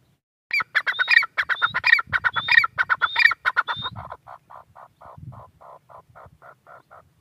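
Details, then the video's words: Harsh grating notes from a female grey francolin, quick and uneven, with high whistled slurs woven in, then fading into a softer, steadier run of lower notes. "gray francolin teetar sound | Female teetar awaz"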